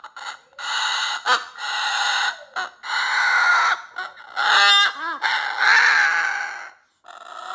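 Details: Pet cockatoo performing its 'roar', long harsh raspy screeches in several bursts with brief gaps, one squeaky rising-falling whistle near the middle, and a short final squawk; a person's voice follows.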